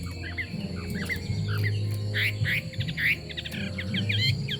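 Chinese hwamei singing loud, varied whistles: slurred rising and falling notes in quick repeated phrases, over a steady low hum.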